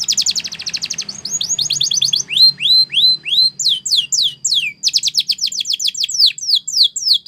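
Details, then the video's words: Spanish Timbrado canary singing a training song: fast rattling trill giving way to rhythmic descending whistled sweeps, then a quick series of steep falling notes, tours changing every second or two. "Spectacular SPANISH TIMBRADO Canary, This Canary Invites All Birds to Sing"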